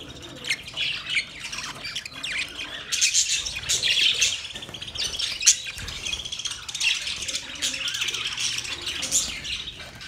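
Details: Captive budgerigars, a small Australian parrot, in a mating-call recording: dense, continuous chirping and warbling chatter with scratchy notes, many birds overlapping throughout, sharper squeaks near three, five and nine seconds.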